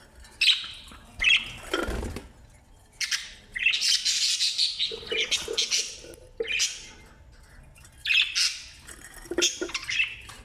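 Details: Australian parrot chicks, newly hatched, being fed by their parents: loud harsh raspy squawking bursts, about one to two seconds each, repeated with short pauses, some lower churring between, in a small indoor space.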